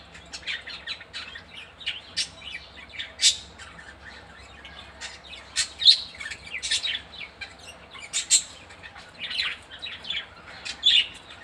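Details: A female budgie at care time keeps up a busy run of high chirps, squeaks and buzzy squawks, with scattered louder notes breaking through the steady chatter.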